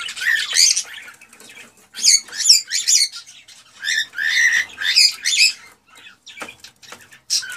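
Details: Male cockatiel singing excitedly to stimulate a female to mate: bursts of harsh, harmonic chirps and warbling notes in short phrases separated by brief pauses.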